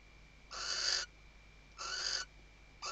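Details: Western barn owl (Tyto alba) at a nest webcam in Riet Vell reserve, Ebro Delta, Spain, 2023 season, stuffing the nest and calling the male: harsh, hissing screeches about half a second long, roughly every 1.5 seconds, faint whine behind.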